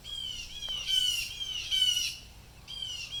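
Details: Blue jays agitated by something unseen give harsh, nasal squawking jay calls in a rough series of drawn-out screeches, each slightly falling, loud and dominant over faint background noise.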